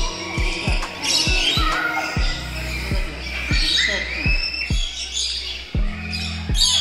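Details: Free-flying parrots in a birds and butterfly garden park give harsh, grating screeches in ragged bursts, loud enough to drown out voices, over a steady thumping music beat.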